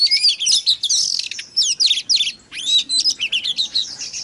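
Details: Dense, energetic Oriental magpie-robin song meant to provoke other kacer birds: overlapping sharp whistles, steep downslurs and scratchy notes packed into a nonstop high-pitched outpouring.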